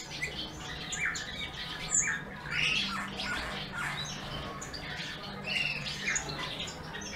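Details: Bullfinch singing amid a steady low hum: squeaky, scratchy chirps and short whistles come in dense clusters, with a sharp high squeak near two seconds and softer chatter continuing to the end.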